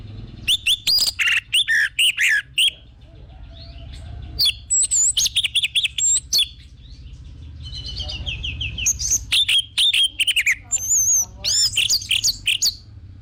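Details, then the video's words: Orange-headed thrush song played to stimulate captive birds into singing: bursts of rich, varied whistles and rapid chattering phrases, some high sweeping notes, in several bouts with short pauses, over a steady low hum. "PANCINGAN BURUNG ANIS MERAH BIAR TELER DAN GACOR"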